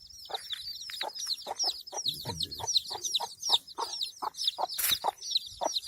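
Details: A mother hen clucks in short, regular low notes while her chicks keep up constant shrill, sliding peeps all around her.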